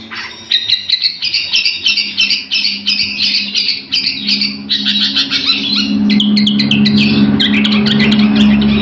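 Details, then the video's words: Long-tailed shrike song used as a tutor for other songbirds: fast series of sharp, chattering high notes repeated about three times a second, with a humming drone rising toward the end. "cendetnya maszee cocok buat masteran"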